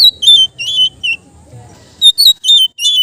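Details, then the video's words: Kept Oriental magpie-robin singing a relaxed ngeplong song meant for training other birds: short series of bright chirped whistles in quick clusters, a brief lull with low background rumble, then another rapid run. "suara Kacer ngeplong santai cocok untuk terapi kacer bahan"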